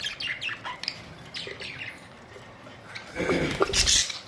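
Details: Budgerigars recorded April 19, 2023: a run of quick bright chirps and short warbled notes in the first seconds, then a loud rustling, broadband burst of noise near the end.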